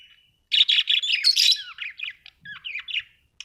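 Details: Budgerigars kept at home give a quick run of grating chirps followed by sliding, whistled squeaks that dip and rise, delivered in a busy, uneven stream.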